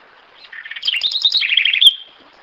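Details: House wren, locally corruíra or garrinchinha, singing a single rapid phrase: tumbling notes rise to a high trilled middle, descend to a lower repeated trill, and end abruptly with a click and trailing whistle.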